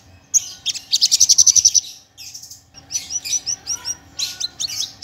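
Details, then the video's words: Javan bush lark, parva subspecies, sings a fast, fired-off trill of about a dozen loud notes, then softer buzzy phrases and looping whistles follow over a faint low hum. "Masteran Branjangan !! branjangan parva full isian nembak nembak suara jernih"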